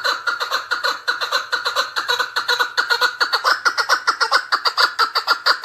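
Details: Chukar partridge (keklik) in Tajikistan, recorded in 2020: a fast, steady series of harsh clucking notes, about two per second, each a broad burst with the strongest energy in the middle range, forming a continuous rhythmic chatter with no other sounds.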